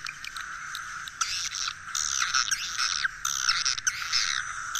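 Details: Swiftlet lure call for roosting, played for swiftlet farming: bursts of scratchy, high chirping twitters over a constant thin buzzing tone, with clicks and short gaps between bursts.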